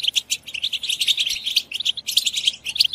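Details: Goldfinch twittering meant to excite other goldfinches into singing and mating, a fast run of bright, liquid chirps and short trills in quick clusters, with a couple of brief gaps.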